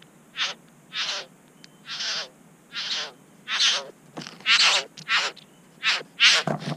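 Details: Satin bowerbirds at a bower in NSW, Australia, with a third bird arriving and the owner charging a camera and tidying his bower; a series of harsh, broadband rasping calls, about ten in under seven seconds, uneven spacing.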